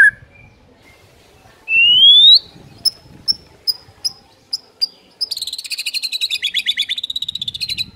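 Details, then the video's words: White-rumped shama masteran song used to set other shamas singing: a loud rising whistled sweep, a few sharp spaced ticks, then a rapid buzzy high trill to the end. "MASTERAN MURAI BATU GACOR FULL EMOSI BIKIN MURAI LAINNYA AUTO GACOR"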